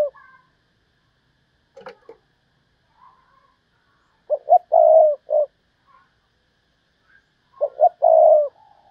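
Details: Lure spotted dove calling in 'thúc bổi' fashion: a clipped double hoot, a long low coo and a short closing note. The phrase is repeated after about three seconds, with soft scattered background chirps.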